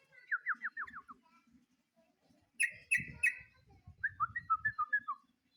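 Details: Sooty-headed bulbul calling a rival: a quick run of five falling whistled notes, a pause, a burst of sharper bright notes, then a lively chain of dropping whistles, over a faint low hum.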